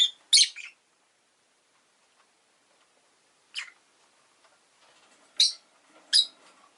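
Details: Shrill, piercing chirps from a rosy-faced lovebird, a quick double note at the start followed by single sharp calls spaced one to two seconds apart, with faint rustling between.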